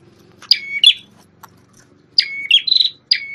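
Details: A champion prenjak tamu prinia with a red head, once a tutor bird for shamas, gives sharp whistles that level out and run into buzzy chatter, phrases coming in quick succession near the end.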